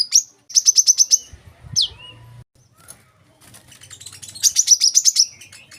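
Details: Olive-backed sunbird singing, high thin trills of rapid evenly spaced chirps in short bursts, a brief sweeping note between them, a quiet pause, then another fast trill and faint twittering over a low hum.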